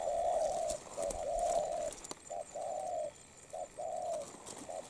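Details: Spotted dove, a wild-caught bird in moult, noted for a strong voice and quick, continuous cooing: hoarse low coos in pairs, a short note then a longer drawn note, repeated steadily with brief gaps.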